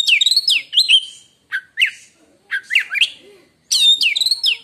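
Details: White-rumped shama singing a song said to hush rival shamas: loud rich phrases of sweeping whistles and rapid chattering notes, delivered in four clear bursts with brief pauses.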